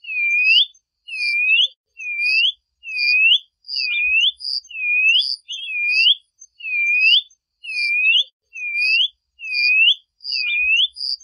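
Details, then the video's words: Song of a plumbeous seedeater, recorded clean and without noise: a long, regular series of sweet, swooping whistles, each dropping slightly then rising steeply, repeated about once per second with brief silences. "Canto da patativa-chorona"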